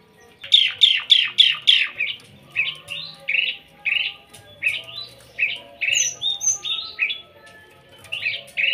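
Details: Starling singing in front of a house: a fast run of five sharp, descending whistled notes, then a steady series of short rasping chattering phrases about twice a second, with a few thin high whistles near the end.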